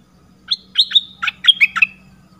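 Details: Red-whiskered bulbul lure sound: a lively phrase of six or seven bright chirps and short whistled notes, uneven in rhythm, with soft low hum behind.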